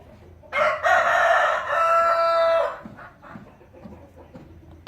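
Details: A rooster gives one long crow lasting about two and a half seconds, strong and harmonic with a brief break in the middle and a steady held ending, then quiet farmyard background with faint clucking.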